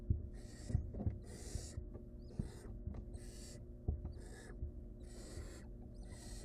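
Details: Wild barn owls at a nest, a mother freeing a choking nestling from a too-long rodent leg; loud, noisy hisses repeat about every second over a steady low hum and occasional knocks.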